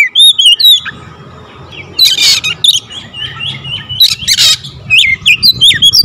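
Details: An Oriental magpie-robin delivers a dense, rapid full-variation song with fill-in phrases: looping whistled notes, harsh buzzy bursts around two seconds and again near four seconds, then quick chirps to the end.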